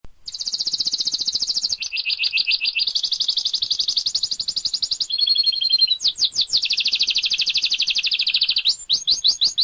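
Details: Canary song used as a master recording for training other birds: loud, high trills delivered as long rapid rolls, switching between several pitches, with fast sweeping notes and brief pauses between phrases.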